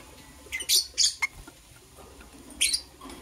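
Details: Morning chirping of green and blue lovebirds as they prepare for egg laying: a quick run of three shrill, high chirps, quiet, then one more sharp chirp near the end.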